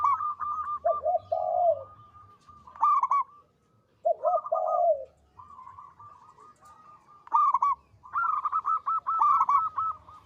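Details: Local zebra dove singing actively with a big, long, melodious voice: phrases of rolling, bubbling coos, a lower throaty purr dipping below the main notes, repeated in bursts separated by short silences.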